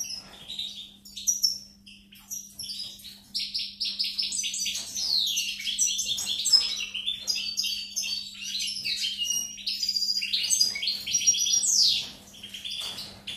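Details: European goldfinch song, recorded 4 May 2019: rapid liquid twittering of tinkling notes, buzzy trills and sweeping slurred whistles in a continuous, varied flow, with a steady low electrical hum underneath.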